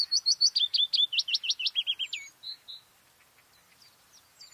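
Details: May song of a white-spotted bluethroat (Luscinia svecica cyanecula): a fast run of about fifteen loud, ringing, hooked notes, then a short buzzy trill and two soft whistles, then near silence.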